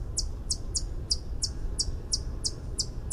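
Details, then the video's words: Song of a white-eared hummingbird: about three crisp, high, metallic chips per second in an even run, with low background rumble. "Song of the White eared Hummingbird (Canto del orecchiuto bianco Uccello di ronzio)"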